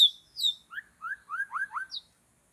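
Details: White-rumped shama in forest while birds are trapped: a few high, clear whistles followed by a run of lower, fluty slurred notes, each quick and rounded, closing with one high note.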